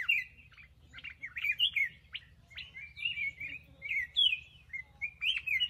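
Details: Kept black-crested bulbul pouring out a string of quick whistled, chirping phrases, loud bursts alternating with short pauses, with a low hum in the background.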